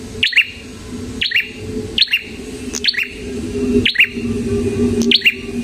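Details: Red-headed prinia in energetic song, repeating bright falling chirps with clicking starts close to once a second over a steady low drone.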